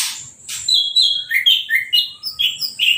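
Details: Orange-headed thrush, freshly moulted and sprayed with a hose, sings uncovered. It gives a fast string of short whistled notes, about three per second, alternating between higher and lower pitches.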